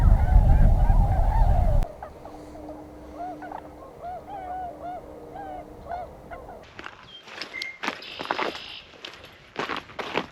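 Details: Spring-migrating Tundra Swans near Pinery Provincial Park, Ontario: loud wind-buffeted chorus, then clearer repeated mellow hooting calls from a flock, followed by clicks and handling noise.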